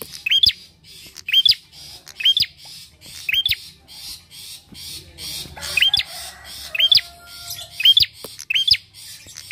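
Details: Bar-winged prinia in vigorous song, used as a lure to prompt other birds to sing: loud, sharp chirps, each ending in a high rising hooked note, repeated about once a second, with a brief pause midway.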